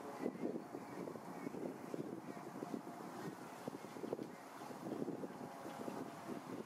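Steady vehicle or boat engine rumble with wind buffeting the microphone, and no animal voice stands out.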